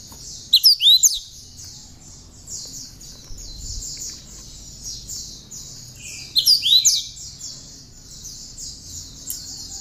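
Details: Cinereous tit song carrying bar-winged prinia notes, as a model for other songbirds. Two brief loud phrases of sharp, swooping high notes six seconds apart sit over a continuous backdrop of faint high repeated chirps.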